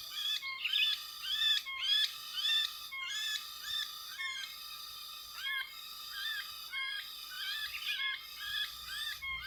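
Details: Sooty-headed bulbul in West Lampung, Indonesia, heard while trappers lure birds without glue: rapid series of bubbly, warbling whistled phrases repeated steadily, interrupted by short gaps, with a persistent high-pitched tonal background.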